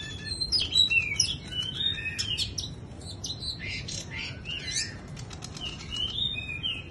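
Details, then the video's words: Bush lark singing during a wing-fluttering display: a rapid, varied run of high whistled and chirping notes with sliding phrases, interspersed with brief broadband flutter bursts, over a steady low background rumble. "Chòe Đất chơi rung cánh như sơn ca"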